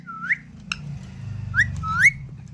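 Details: Talking pet parrot, locally called tota, gives short rising whistled notes near the start and again twice toward the end, over a steady low hum indoors.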